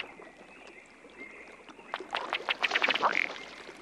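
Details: In a spring marsh during mating season, a drake Ruddy Duck gives its courtship display to attract a hen and establish territory: a quick run of dry ticking pulses that speeds up over about a second, then a low, burping hiccup.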